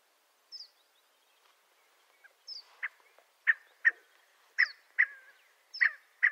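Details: Scaled quail giving sharp, nasal notes, sparse at first, then quickening into loud, single and paired calls toward the end, with a few thin high squeaks mixed in.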